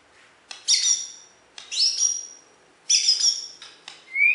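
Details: Champion Bornean White-rumped shama from West Kalimantan giving three loud bursts of very high, sharp, ringing notes with clicks, each about a second apart, followed by a rising high whistle.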